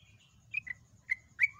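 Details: Yellow-vented bulbul recorded as a loud, long-singing lure and tutor recording: four short, slurred whistled notes in quick bursts, the last rising into a brief bubbly phrase, over a faint low hum.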